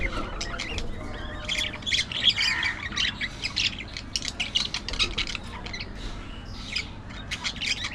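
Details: Budgerigars keep up a steady stream of short scratchy chirps, clicks and squawks, irregular and overlapping, moderately loud over a low rumbling background.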